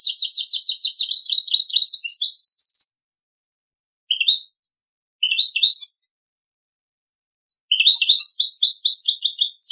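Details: Hybrid goldfinch × canary performing Servati Prince royal song, opening with a rapid rhythmic trill that turns into a thin buzz, then scattered twittering fragments and a final burst of busy, high chattering notes.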